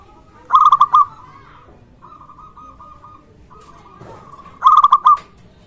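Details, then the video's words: A local zebra dove calls actively, a sound used to draw calls from other zebra doves and heighten their arousal. Two stuttering coo phrases with long tails frame a stretch of quieter, evenly trilled cooing in the background. "perkutut Lokal gacor suara ini sangat cocok untuk masteran pancingan semua jenis burung perkutut"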